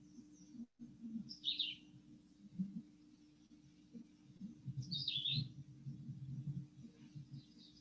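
Philadelphia Vireo song: two short, high, thin warbled phrases about four seconds apart, over a steady low hum and rumbling background.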